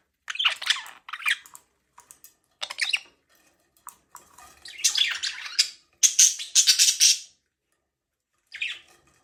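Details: Pet budgerigar chirping: bursts of harsh, scratchy chatter and squawks separated by short silences, with a brief clear whistled note near the loudest burst and a final short chirp after a pause.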